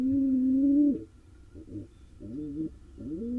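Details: Wild male pigeon courting a female in an Israeli nest box; one long low steady coo ending in a drop, then softer broken cooing notes rising toward the end.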